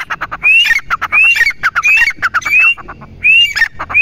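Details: Grey francolin call: ringing upward-inflected whistles, each trailed by gruff clucking notes, repeating steadily. The series pauses briefly before one final whistle.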